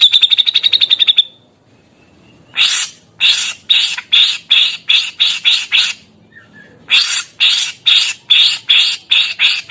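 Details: Grey-cheeked bulbul in energetic voice: a rapid ticking rattle, a short pause, then long series of harsh, buzzy, chattering notes repeated over two times a second, with a brief gap midway.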